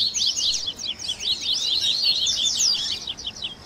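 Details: Double-collared seedeater song in a 'baderna' mix of tui tui, grego, viviti, flauteado and third-note styles, used to train captive birds: dense, rapid, high chirps and sweeping notes tumbling over one another with no pause.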